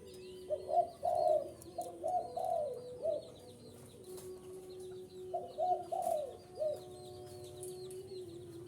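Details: Spotted dove calls used to draw in wild birds: mellow, low coos in rolling phrases of three or four notes, two phrases separated by a pause, over a steady faint hum and distant high chirps of other birds.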